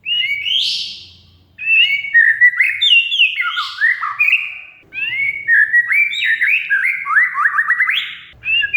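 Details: Caged oriental magpie-robin singing a varied lure song aimed at a silent bird: a buzzy opening, then quick strings of sliding whistles, stepped and rising notes, continuing without break after a short pause.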